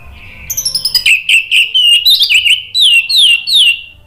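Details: Orange-headed thrush lure song for getting a quiet bird singing again: a quick stuttering run of clipped notes leading into a stream of loud, sliding whistles, ending with several sharp downslurred notes.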